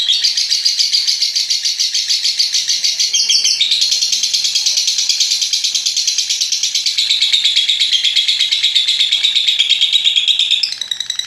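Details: Long ngekek trill of a lovebird, used as a masteran track to prompt other lovebirds to sing; rapid high buzzing chatter runs unbroken for over ten seconds with a brief hitch near three seconds, ending abruptly.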